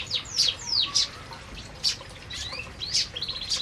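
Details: Canaries eating in an aviary give scattered high chirps and sharp downslurred tweets, separated by short pauses, with a few thin whistled notes toward the end.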